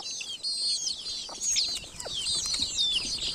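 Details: Baby chickens in a village, a flock of chicks peeping continuously: dense, high, thin downslurred cheeps overlapping one another, with a few faint lower clicks and scuffs underneath.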